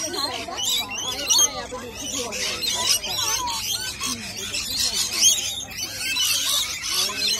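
A noisy flock of rainbow lorikeets fills the air with overlapping shrill screeches and chattering squawks, a dense, constant racket with no pauses.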